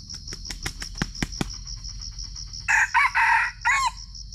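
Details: Red junglefowl in Sumatra, recorded on a GoPro during a trapping session: a series of sharp clicks, then a hoarse, broken crow of three or four harsh, rasping bursts. A steady pulsing cricket drone runs underneath.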